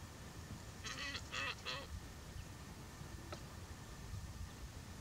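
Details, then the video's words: Glossy ibis "singing" at Alykes Kitros, Greece: three short, harsh, buzzy nasal notes in quick succession, followed by a faint click, over steady background noise. "Ευρασιατική Χαλκόκοτα - Plegadis falcinellus "singing""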